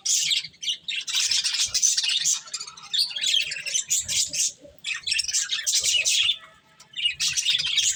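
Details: Chattering pet budgies feeding on corn, sending out long runs of high scratchy warbling and chirps with a few quiet breaks, and soft clicks and rustling underneath.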